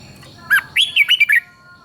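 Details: Red-whiskered bulbul from Thailand singing a southern master-style phrase, played to excite other bulbuls and teach young birds. It gives a quick burst of six bright, warbling whistled notes rising and falling, with a faint steady high tone behind.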